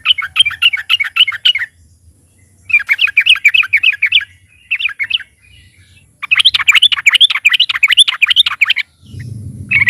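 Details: Loud, lively trucukan (Yellow-vented bulbul) song meant to set other caged birds singing: long runs of quick, bubbling, up-and-down chattering notes in three main bursts, ending on a low rumble.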